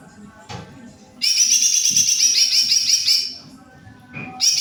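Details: Greater green leafbird, kept as a songbird, singing loudly: a dense, high, rapidly warbled phrase of rich trilled notes lasting about two seconds, then a short pause and the start of another burst, over a low background rumble.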